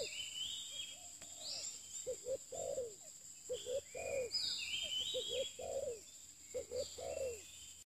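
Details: A new spotted dove used in decoy trapping gives repeated low hollow coo phrases, each a few clipped notes ending in a longer one. Other small birds twitter and whistle at higher pitch throughout.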